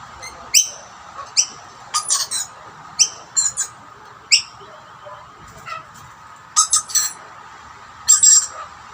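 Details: Rainbow lorikeets squabble over food set out on two plates, one dominant male chasing off birds outside his family. Loud, piercing squeaks come singly and in tight clusters, ending in a longer burst of screeching.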